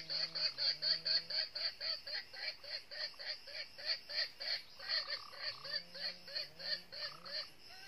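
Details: Red junglefowl decoy hen of the northern red-eared type, kept to lure wild males into a trap: rapid, evenly repeated clucks about four per second, with a low human voice murmuring underneath at the start and end.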